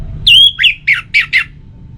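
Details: Orange-headed thrush, kept cage bird, played to make other kept birds sing; a loud clear whistled phrase of five notes, the first long and sliding, then four shorter slurred whistles, with low hum beneath.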